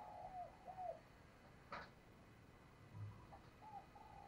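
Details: Female dove giving calls to attract males: brief arched coos at the start and again near the end, with a sharp click or knock in between against low background noise.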